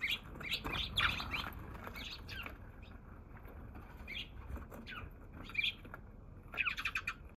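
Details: Wild Eurasian tree sparrow on 27 March, the day's first visitor before it flew off, giving scattered chirps and a rapid closing flurry over a rumbling, rustling background.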